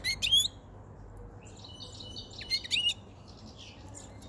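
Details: White-chinned male goldfinch, caught five months before and kept in a cage, singing near spring at the onset of breeding condition; two short, sharp twittering bursts with soft scattered notes between.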